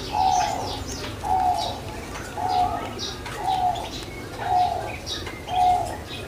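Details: Caged puter pelung dove kept in Java, Indonesia, giving short soft coos repeated about once a second in an even series, with other small birds chirping higher in the background.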